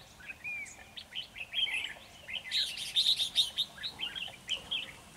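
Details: In a trap, a red-whiskered bulbul acting as a decoy delivers a lively stream of sharp, high chirps and short whistles, building to rapid repeated notes in the middle and fading toward the end.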